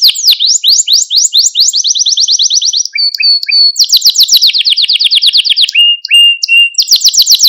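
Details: Malta canary song intended to excite canaries and train young singers: downward-swept chirps, a rapid even trill, short whistled notes, then further fast rolls at shifting pitches.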